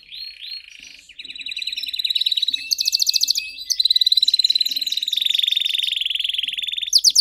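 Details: Master canary singing a varied tour: steady whistled tone, buzzy rolling trills, very fast rattles and sharp high bursts, the phrases changing every second or two.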